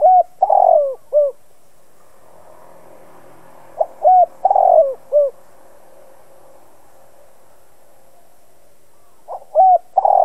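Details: Spotted dove used as a decoy bird, cooing to stir other doves into calling. Three mellow phrases come about every four seconds, each with short clipped notes around a longer rolling coo, in a quiet setting.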